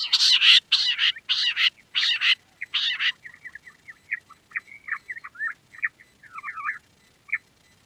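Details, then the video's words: Queen quail giving several loud, harsh bursts, followed by a quieter string of short twittering chirps and squiggly notes that fade out. "Queen quail sound || Lohari ka Awaaj"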